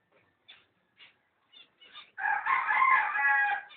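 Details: A pair of cockatiels recorded 05.06.11; a few soft, spaced chirps, then a loud, harsh, harmonic screeching call held for over a second.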